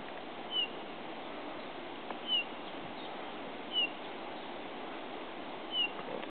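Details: A male Eurasian bullfinch at a nature reserve in Hereford gives soft, slightly falling piped whistles, four over six seconds at an uneven pace, over a steady background hiss.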